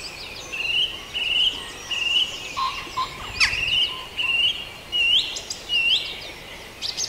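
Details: Dawn chorus at Farndale: several birds singing together, with a clear whistled phrase repeated about once a second, bright high chirps and trills layered above, and a soft hiss of background noise.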